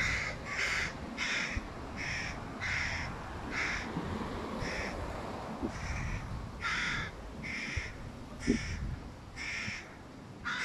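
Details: Hooded crow fledgling, one of three, begging loudly from a tree near its mother while the father feeds a sibling fish; harsh nasal caws repeated steadily, roughly twice a second, over low background rumble.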